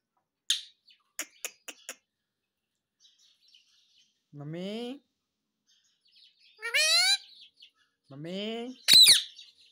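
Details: Pet parrot talking indoors: short clicks and ticks, then rising, harmonic-rich whistled sweeps and a sharp squawk near the end, separated by quiet gaps in a small room.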